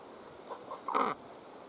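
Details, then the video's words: Domestic chicken at hatching time with newly born chicks: two faint soft notes, then a single short loud rasping cluck lasting under a quarter second against a quiet background. "JUST BORN "Chicks Chirping" Sounds"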